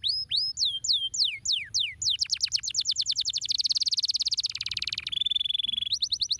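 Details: Canary song opening with looping whistled slurs, then breaking into a long rapid trill that becomes a buzzy rolling tour before quick repeated chips at the close.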